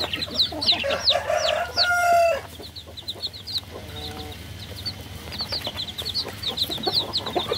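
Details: Baby chickens chirping rapidly, about three to four peeps a second, with a louder harmonic call near the start and a short low tone around the middle.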